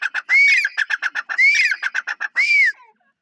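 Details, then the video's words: Grey francolin, known locally as teeter, calling: three loud arched whistled notes, each followed by a rapid run of short clipped notes, repeating roughly once a second in a clean, otherwise quiet recording. "Teeter sounds | teeter voice | teeter awaz | grey francolin | natural Bird teeter"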